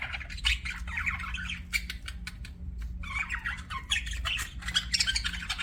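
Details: Budgies chattering in two busy runs of scratchy warbles and sharp squawks, broken by a brief pause, over a constant low electrical hum.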